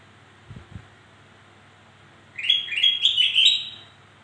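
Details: Black-crested bulbul used as a lure for birds slow to sing: two faint low thumps, a pause, then a lively burst of rapid, slurred bright notes climbing in pitch.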